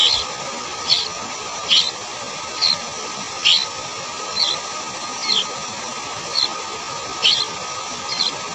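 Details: Sooty-headed bulbul young being fed cicadas and butterflies caught by a parent: high thin squeaky notes repeated roughly once per second over a steady hiss of background noise.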